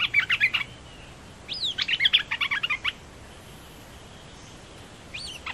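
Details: Red-whiskered bulbul delivering two quick bursts of jumbled, chirpy whistled notes separated by a short pause, then a lone sliding whistle near the end, over light outdoor background hiss.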